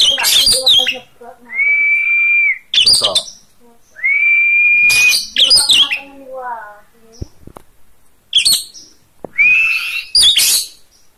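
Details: Caged Oriental magpie-robin singing steadily: sustained flat whistles around a clear high pitch broken by harsh, crackling bursts of fast mixed notes, with three drawn-out whistles spaced a few seconds apart.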